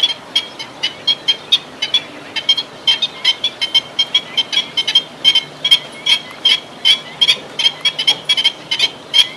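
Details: Black-winged stilt giving a long run of sharp, nasal, barking calls, repeated two to three times a second at an uneven pace, with a light background hiss.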